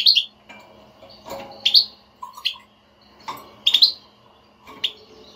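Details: Goldfinch بتبتة used to stimulate a non-singing kept goldfinch. High chirps and twitters recur irregularly, with a few lower soft notes and some background noise and hum.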